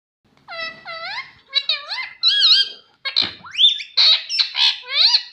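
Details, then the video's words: Pet parrot taught to say "mummy", mimicking speech: a run of short, high, nasal syllables with sliding pitch, rising and falling in quick bursts over several seconds, then a louder squeaky phrase; quiet indoor background. "Talking Parrot Mitthu Mitthu Tota || Mummy Mummy Bolne Wala Mitthu"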